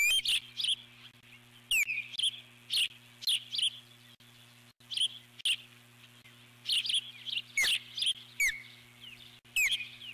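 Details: Eagle giving repeated alert calls while an intruder tries to land on the nest. Shrill, high chirps and quick downward-sliding squeals come in irregular bursts, over a constant low hum.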